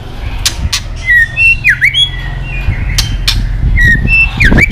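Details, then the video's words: Female white-rumped shama 'tạch líu' call to stir males up for fighting: loud whistled notes dipping in steep V-shaped swoops between scattered sharp clicks, with a low rumble underneath. "Chòe lửa tạch líu giọng mái kích lửa"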